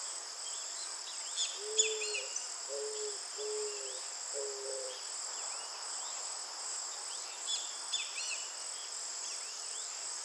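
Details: Eared dove song of four short, low coos in a row near the start, then only a shrill, continuous insect chorus and occasional high bird chirps.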